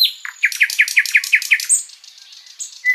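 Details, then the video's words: Long, lively sikatan londo flycatcher master song for teaching other songbirds: a rapid run of about seven sharp, evenly spaced notes, then a high whistle and a softer trailing chirp. "Masteran Burung sikatan Londo gacor panjang"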